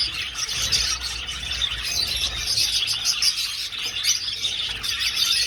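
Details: Budgerigars flying in an old aviary, a dense, unbroken chorus of high chirps and warbling chatter from many birds at once, steady in loudness throughout.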